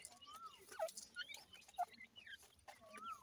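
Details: Partridge chicks, Dhakni and Irani teetar, playing and fighting together: thin, sliding whistled peeps, some rising and some falling, scattered irregularly, with sharp higher chirps and faint clicking in the background.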